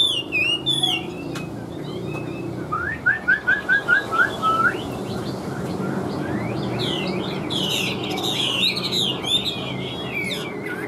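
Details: Chinese hwamei in a cage, large with yellow bill and legs, sings sharp high twitters, then a stepped series of about eight clear descending whistles, followed by renewed bursts of lively warbling.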